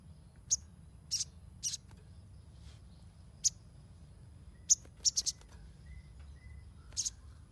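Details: High, sharp chirps of a Ruby-cheeked sunbird, played as a lure for untrained birds, scattered irregularly over about seven seconds, singles and pairs with a quick triple, plus a few faint thin whistles and a low hum.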